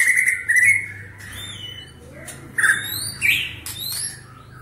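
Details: Fast-singing white-rumped shama, Medan type, trained with cililin, canary and lovebird phrases for a 2019 contest; high whistled notes and scratchy squawks come in short bursts with upward-sliding thin whistles and quiet gaps, over a low hum.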